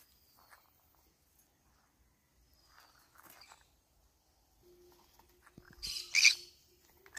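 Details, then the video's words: Feeding on banana leaves, a green-cheeked conure lets out one rough, rasping squawk near the end after quiet rustles, soft clicks and a faint low hum. "I tried eating banana leaves : green cheek conure cute bird sound."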